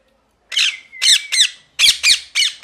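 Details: Parrot screeching: a silent start, then a series of harsh, grating squawks coming in quick pairs and triplets, with a faint low hum underneath.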